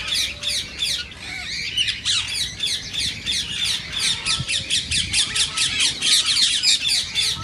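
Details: Green rose-ringed parakeet, also called Indian ringneck, calling to stimulate singing and mating in other parakeets; harsh, high squawks repeated rapidly about four per second in noisy bursts, with a low background rumble.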